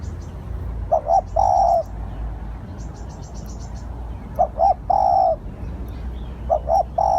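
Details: Low hooting of a spotted dove used to lure others: short-short-long coo phrases repeated three times at uneven intervals, with brief high chirps of other birds in between.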